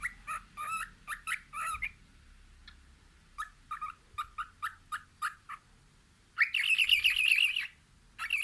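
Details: Cockatiel at a window singing: bursts of sharp repeated chirps, a run of evenly spaced whistled notes, then a loud rapid warbling trill lasting over a second before the song trails off.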